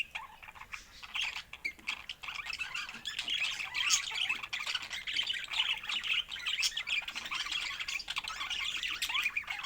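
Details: Budgerigars chatter steadily, mixing raspy warbles, tiny squeaks and clicks. The chatter starts softer and becomes louder and denser.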